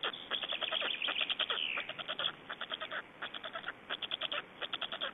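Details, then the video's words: Estonian black storks at feeding time on 25 May 2012. Dense, fast chattering pulses open the recording, then spaced bursts of short rasping notes, several per second, with a brief drawn-out wheezy sound. "Estonian Black Storks - Feeding"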